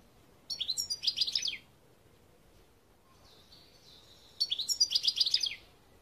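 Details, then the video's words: European goldfinch in 2021 singing two short bursts of sharp, rapid twittering chirps, about a second each, separated by a quieter stretch with a faint thin buzzy note. "Chant Chardonneret"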